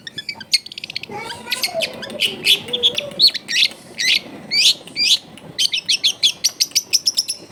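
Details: Long-tailed shrike singing, recorded at home in a crowded residential area and used to stir a lazy bird into song. Rapid bursts of sharp, high, chattering notes and fast trills, with a low cooing bird faintly beneath.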